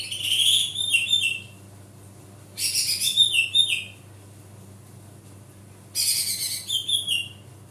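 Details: Loud basic song of a greater green leafbird, used to prompt a silent leafbird into singing: three bursts of high, bright, twittering and whistled phrases, each over a second long, spaced by quiet pauses, with a faint low hum underneath.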